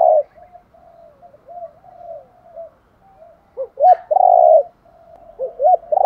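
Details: Spotted dove giving a luring call: low mellow coos with soft murmured phrases, ending in a short rising double note and a longer full hoot, then quieter repeats.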